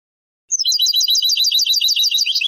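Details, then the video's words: European goldfinch singing in the Moroccan Sebtaoui style, from an old cassette recording of the late 1990s to early 2000s: a rapid run of bright, twittering high notes with buzzy trills, about two seconds long, no other sounds. "CANTO DEL JILGUERO ** شريط نادر و قديم للتغريد الحسون بالنمط السبتاوي المغربي"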